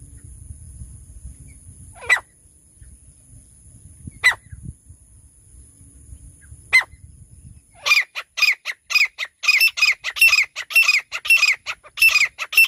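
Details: A francolin (teetar), possibly a female, gives three sharp single notes, then bursts into a fast, harsh, ringing series of about two notes per second, over a steady high-pitched whine.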